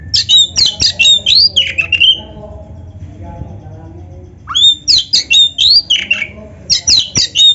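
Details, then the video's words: Oriental magpie-robin singing in lively 'gacor' style for training other birds: a rapid burst of sharp, high whistled and chattering notes, then about two seconds of quiet before further fast bursts. "SUARA BURUNG KACER GACOR FULL MATERI ‼️MASTERAN KACER GACOR"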